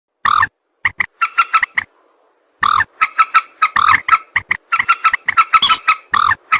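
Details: Common moorhen (jal morgi) calls used as a hunting lure: loud, abrupt clucking and croaking notes in quick bursts, harsh and nasal with bright overtones, separated by short silences.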